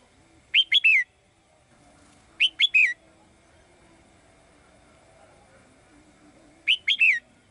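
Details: Female bird singing in a cage to summon the male: three-note phrases of quick rising-falling whistled chirps, the last note longest and sliding down, repeated three times.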